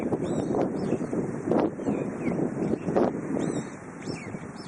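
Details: High, arched whistling calls of a brown-eared bulbul come every second or so through strong, gusting wind on a spring day.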